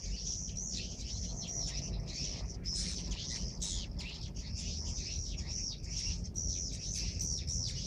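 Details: Many swiftlets chirp at once in a swiftlet house at dusk around the call to prayer as they enter, a dense high twittering chatter with rapid overlapping notes, over a steady low rumble.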